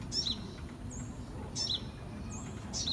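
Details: Sunbird baby recorded in 2018: three sharp, very high chirps about one and a half seconds apart, each sliding downward, separated by faint thin level whistles, low rumble underneath.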